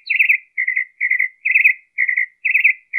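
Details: Recorded 23 March 2015 in Colton, California, a northern mockingbird repeats quick warbled two- and three-part phrases in a steady string, each lasting about a third of a second.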